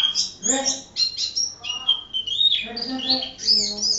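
Oriental white-eye singing a fast, high, twittering song of thin chirps and short trills, with brief lower, voice-like sounds in the background.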